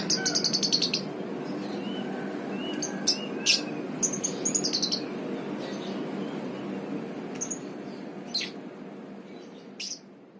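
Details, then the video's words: Pastel-coloured lovebird chirping in bursts of sharp, high, rapid notes, clustered early and scattered later, some softer whistled notes between, over a constant low hum. "lovebierds pastel paud"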